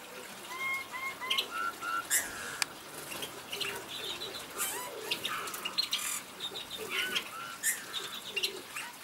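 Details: Eurasian bullfinch song: soft, clear piping whistles in short paired and repeated notes, some gently rising or falling, opening the passage, followed by a busy mix of clicks, chirps and other bird calls.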